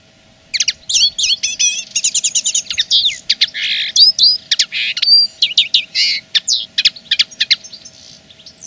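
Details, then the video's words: Common linnet singing as a territorial claim: a rapid, varied twitter of high chirps, short trills and nasal notes, continuous for about eight seconds after a brief quiet start, over a faint steady low hum. "Le chant de la linotte est une revendication pure et simple."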